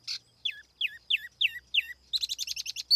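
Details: Lure song of a Tiểu mi laughingthrush, no background noise: six evenly spaced, down-slurred whistled notes, then a fast rattling trill of high chirps ending on a bright note.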